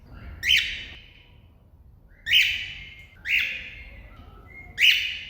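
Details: A cockatiel calling to another cockatiel gives loud, harsh, upward-sweeping shrieks, repeated at irregular intervals of one to two seconds.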